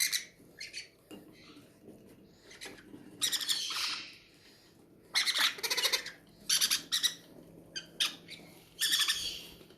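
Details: Hungry captive-bred parrots at feeding time in an aviary breeding setup, giving loud, harsh, raspy squawks in bursts about one second long, several overlapping, with quieter rustling between bursts.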